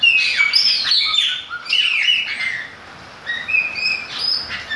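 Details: Chopi blackbird singing while it rains: rapid bright whistles and downslurred notes, a short pause, then clear level whistled notes, all over a steady rain hiss.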